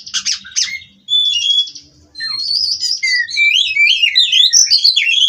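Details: White-rumped shama from a Cirebon breeder: buzzy stuttered notes, a brief quiet gap, then a rapid stream of looping whistled phrases that keeps going.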